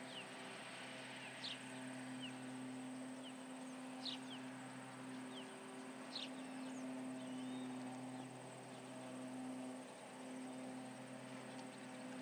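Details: Intruders around the Charlo osprey nest, July 29, 2019, late morning: an osprey gives scattered piercing, down-slurred chirps, clustered in the first six seconds and sparser later, against persistent low hum and background hiss.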